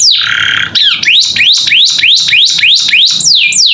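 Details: Canary tutor song for teaching young captive birds to sing: a long downward-sliding whistle, then loud upswept notes with falling tails, repeated about three times per second, clear and close.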